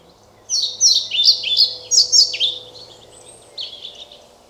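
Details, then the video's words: European pied flycatcher singing: a quick phrase of high, sweet, slurred chirps swinging up and down, about seven notes over two seconds, then a softer trailing snatch of notes, clear and close in quiet surroundings. "Мухоловка-пеструшка поёт"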